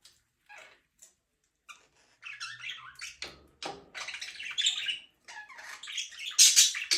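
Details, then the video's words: Budgerigar chirping: a few scattered short scratchy notes, then from about two seconds a continuous burst of harsh, buzzy, warbling chatter with quick squeaky notes that grows louder toward the end. "budgies parrot chirping sound"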